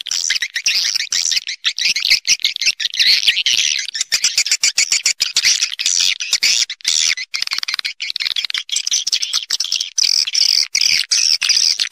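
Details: Swiftlets calling as a lure to attract them to roost: sustained high chattering chorus broken by rapid clicks, fairly uniform intensity from start to finish.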